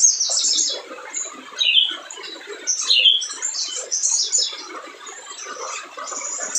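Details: Lively spiderhunter song played to provoke quiet birds into singing: high scratchy twitters broken by two loud, sharp whistled notes, then quieter chattering phrases and scattered clicks.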